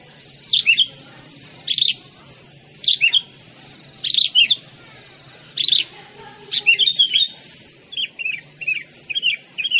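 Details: Hand-raised, now tame sooty-headed bulbul giving short chirpy double notes every second or so, then a quicker series of small twittering calls toward the end over a soft background hum.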